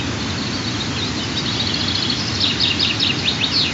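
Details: Two white-tailed eaglets, 23 and 25 days after hatching, at morning feeding on the nest, 15 June 2023; sharp, downslurred high chirps come in a quick series in the second half, with continuous broadband rushing noise beneath.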